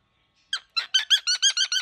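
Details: Baby cockatiel, very angry, lets out a rapid string of about nine rasping, nasal squawks that grow louder and steadier toward the end.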